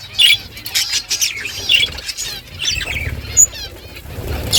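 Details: Morning budgie flock chattering among themselves: scattered short squawks and warbling chirps over soft rustling and low background rumble, with brief sharp notes standing out between quieter stretches.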